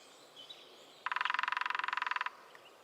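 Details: Rapid mechanical drumming of a lesser spotted woodpecker in the New Forest, one steady roll of about 1.2 seconds, preceded by a few faint distant bird notes.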